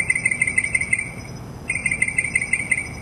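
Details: Mockingbird in mimicking song delivering a rapid string of beaded, clicking notes that repeats steadily, briefly stops, then resumes with a slightly different phrase; a continuous high-pitched whine runs throughout.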